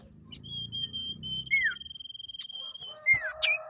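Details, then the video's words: Female common iora, used as a lure to provoke males into singing: a long, steady, high whistle held for over two seconds, broken by short down-slurred whistled notes, with a low rumble early on. "SIRTU GACOR PANDAI BIKIN LAWAN EMOSI MEMANCING SIRTU AGAR BUNYI"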